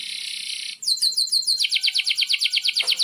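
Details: Canary singing a long song meant to teach young canaries: a dense buzzy trill breaks into fast repeated downward-sweeping notes, about six per second, high and sharp.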